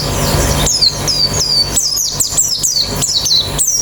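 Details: White-eye from a therapy recording meant to make the bird sing with an open beak: sharp, high, downward-slurred chips repeated about every third of a second, with a faint low hum.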